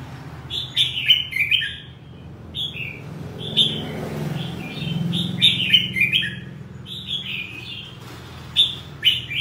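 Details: Red-whiskered bulbul pouring out cheerful whistled phrases in quick clusters, bright downslurred notes and chirps tumbling together, a brief lull midway, low hum beneath.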